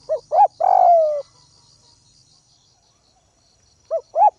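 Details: Ground decoy spotted dove from the Northwest calling to provoke rivals: two short arched coos and a long buzzy falling coo, a silent gap, then two more short coos, with faint low rumbling and insect trill behind.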